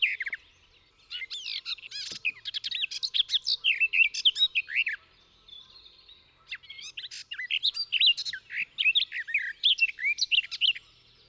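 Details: Garden warbler, a UK summer warbler that skulks in bushes, pours out long, rapid, fluty warbling phrases of mellow notes in two sustained bursts of about four seconds each with a short pause between; its song is described as very beautiful.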